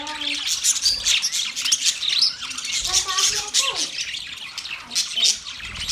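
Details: Budgies twittering in a crowded, unbroken chatter of squeaks and warbles, with a few short clearer whistled notes and faint lower tones mixed beneath the high chirping.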